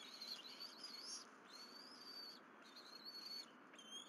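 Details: Bald eagles at the Berry College nest, spring morning 2023, mother bringing two fish while the young eagle claims them. Loud, high piercing whistles that wobble and rise, strung together in near-continuous squealing over soft background hiss.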